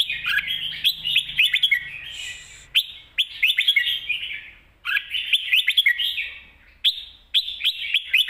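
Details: Red-whiskered bulbul pouring out its master song in rich warbling bursts, fast trilled whistles in phrases about two seconds long, sharp clicks scattered throughout, a brief low hum early on.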